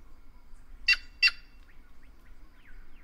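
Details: A pair of rough, squawking notes from a White-naped jay, spaced about a third of a second apart, with faint soft chirps and a low hum behind.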